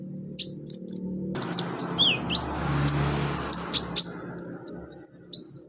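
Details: Olive-backed sunbird song from a training recording for beginner birds: rapid, very high thin chirps and short sharp notes, some downslurred, repeated in quick bursts over a steady low hum.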